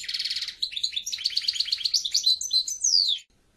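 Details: A goldfinch starts with a buzzy rattling burst, moves into a quick run of liquid twittering notes, and finishes with a long falling whistle.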